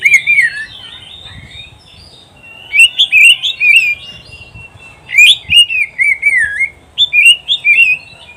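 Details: Oriental magpie-robin (kacer) masteran song for training pet birds: repeated bursts of loud, varied whistled warbles, each phrase looping up and down, with short gaps between them.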